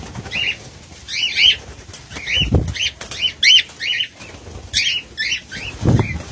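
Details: Cockatiels in a colony, 2019: bursts of scratchy, rising-falling chirps, often doubled, come in irregular clusters, mixed with thuds and wing-flapping noise.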